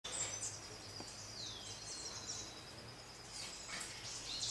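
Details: Red-faced Spinetail (Cranioleuca e. erythrops) at Sachatamia Lodge, Ecuador, in May 2012, giving faint, thin, very high notes, including one clear downslurred whistle, over steady background hiss and a low hum.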